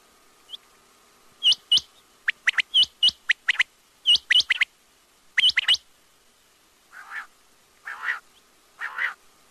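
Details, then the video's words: Quail (batair) calling: sharp whistled notes in pairs and triplets, each dropping from high to lower pitch, in quick bursts, followed near the end by three lower, harsher rasping notes. "batair ki awaz|quail sounds"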